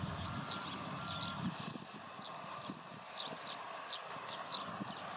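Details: Rustic bunting photographed in a reed bed in Nagareyama, Japan, on 14 February 2020, giving sharp, high ticking calls, about ten scattered notes in five seconds, over a low rumbling background.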